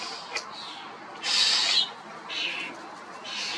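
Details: Common starling giving a loud, drawn-out raspy screech lasting about half a second, followed by two fainter hoarse calls, with hiss throughout.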